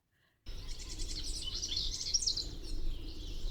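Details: A House Wren singing loud and close gives a rapid, bubbly, high-pitched jumble of chattering notes for about three seconds over a steady low rumble, then flies at the recordist, passing near his ear.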